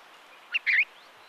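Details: Himalayan Bulbul calling in Uttarakhand, India: one brief chirpy phrase, a short sharp note followed by a slightly longer slurred chatter, over faint steady background hiss.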